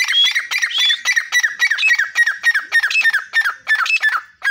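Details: Grey francolin calling from the door of its cage in Pakistan: a loud, rapid run of harsh, squawking notes with downslurred whistled tones, repeated several times a second, without pause, in the foreground.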